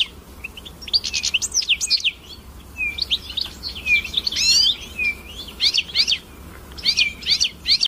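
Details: Hooded siskin singing a lively, continuous twitter of high chirps, trills and slurred rising and falling whistles in bursts, with brief pauses between phrases and a faint low hum beneath.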